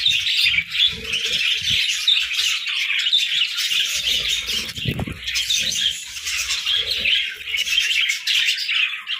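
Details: Parakeets chirping in the morning: a dense, continuous flock chatter of high, scratchy chirps and warbles overlapping without pause, with brief low thumps beneath.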